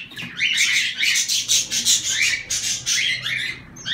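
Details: Zebra finches giving a rapid series of short, harsh, nasal chirps in bursts, several notes overlapping as if from more than one bird, with brief pauses between clusters.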